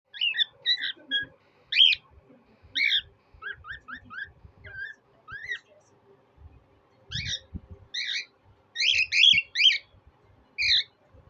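A cockatiel whistles a run of bright, sliding notes with short pauses between phrases.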